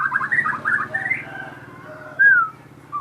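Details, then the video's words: Crossbred captive shama opens with a quick burst of warbled notes, then a clear falling whistle over a low steady hum. "burung murai gacor hasil kawin silang"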